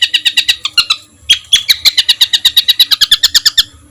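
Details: Rough-fill songbird master recording for competition birds: quick chipping notes, then a steady fast series of sharp, ringing chips.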